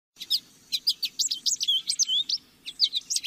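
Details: Lesser goldfinch song: a rapid run of high, bright twittering notes with slurred whistles and buzzy chips, in short bursts separated by brief pauses, over a faint low background hum.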